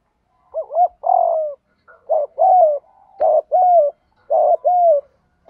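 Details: Spotted dove decoy in rapid urging 'gù thúc' cooing, four phrases in quick succession, each a brief wobbling note plus a longer, slightly descending coo, steady and low.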